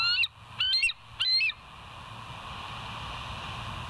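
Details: Bald eagle at the West End nest on a live nature cam, recorded 17 September 2023 at 22:51; three short, loud, high, chattering notes with harmonics in the first second and a half, followed by a steady background hiss.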